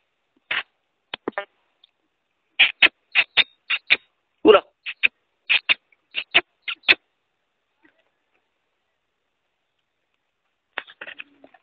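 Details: Black francolin (kala or Sindhi teetar) calling: a rapid series of short, harsh, grating notes, some doubled, over about four seconds, then silence and a faint scratchy burst near the end.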